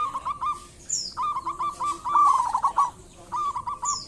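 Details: Local zebra dove in full song, the rolling, stuttering cooing notes running almost without pause at a steady mid pitch, with short high chirps from another bird.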